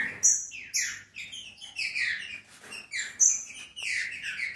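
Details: Green-winged saltator in captivity, its song used to stimulate other birds to sing: bursts of clear whistled notes, some falling and some rising, delivered in quick uneven phrases.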